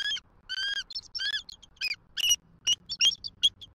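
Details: Loud, clear bald eagle peal from a Southwest Florida nest, November 2023, as the female calls for her mate to take over: squeaky whistled notes in quick uneven bursts, some slurred, over a quiet background.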